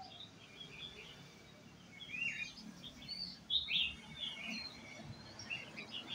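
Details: Caged red-whiskered bulbul taken out to a café, singing short bright warbled phrases with a few louder, clearer notes in the middle, against quiet background noise.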